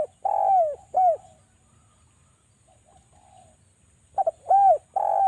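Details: Lure calls of a Javan spotted dove meant to set doves calling: a long drawn coo and a short coo end one phrase, faint soft notes fill a two-second lull, then a stuttered double note and rounded coos begin the next.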